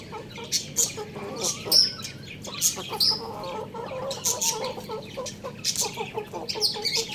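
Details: Young rooster eating rice, giving soft, low, short chirps and clucks in loose runs, mixed with sharp clicking pecks of feeding throughout.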